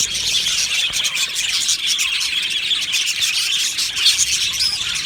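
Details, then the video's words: Budgerigar colony in an aviary chirping together: a dense, continuous wash of high, rapid chatter and squeaky warbles from many birds at once, with short brighter whistled notes rising out of the mass near the end. "Beautiful Budgie aviary chirping sounds"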